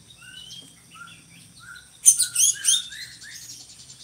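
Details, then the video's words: Drongo used by Indonesian bird keepers to tutor other songbirds: a series of soft short whistles, then a sudden loud harsh burst of three high chattering notes, followed by more quiet whistled slurs. "SRIGUNTING GACORRR"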